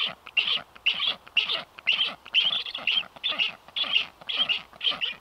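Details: Unringed strange black stork visiting a nest (Estonian livestream, 9 July 2023), with a second stork landing soon after: harsh, raspy wheezing calls repeated about twice a second in steady bursts, no other clear sounds.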